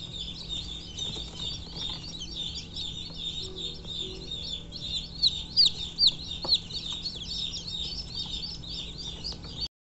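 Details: A newborn chicken chick peeps constantly, giving high, thin, quick chirps in an uneven stream, growing louder and sharper near the middle, over a faint low hum.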